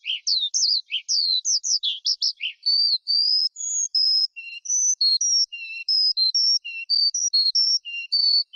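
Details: Skylark song opening with rapid chirps, then settling into sustained high whistled notes alternating with short lower tones, clear and unaccompanied.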